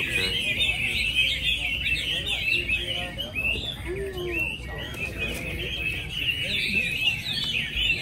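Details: Chinese hwamei singing at a hwamei song contest held at Mỹ Đình on 19 July 2020, entrant number 37 performing; rich, fast warbled phrases of twisting whistles and trills run on continuously, with a man's voice commentating over them.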